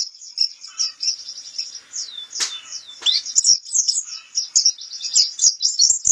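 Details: White-eye, known locally as pleci kapur, sings a continuous high-pitched twittering warble broken by a couple of sharp downward-sweeping notes, then dense chattering chirps to the end.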